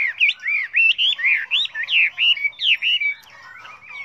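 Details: Chinese hwamei singing a varied, many-voiced song used to train other hwameis: loud, clear whistled phrases with rising and falling slurs, delivered in quick separate notes about three per second, then a softer, quieter ending.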